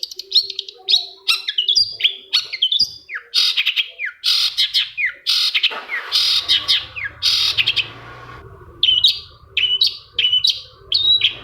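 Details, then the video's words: Long-tailed shrike lure song, played to get a quiet shrike singing: rapid chattering notes and sharp whistled slurs, harsh and varied, delivered in dense bursts with brief pauses, ending in evenly spaced bright chips. "PANCINGAN CENDET MALAS BUNYI SEKETIKA CENDET LAIN LANGSUNG NYAUT!!! | Singing of shrike bird"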